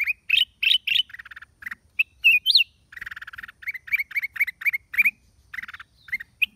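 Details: Black-crested bulbul song dated 29 December 2023: quick bright chirps and buzzy rattles, a looping whistled phrase, and dense runs of clipped notes about four per second, with scratchy bursts between.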